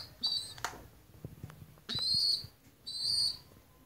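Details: Baby pigeon giving thin, high, whistled squeaks: a short one early on, then two longer drawn-out notes at the middle and end, over soft tapping and rustling.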